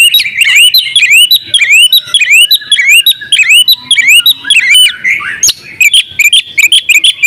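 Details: Oriental magpie-robin in full song, a training recording: rapid, varied whistled phrases with sharp upslurred notes, dense and continuous, briefly broken by a lower warble near the fifth second.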